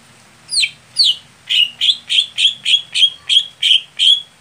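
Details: Greater green leafbird prepared for singing competitions, a bird slow to heat up. It gives a steady run of eleven bright, downward-slurred whistles, about three each second, all of similar pitch and strength.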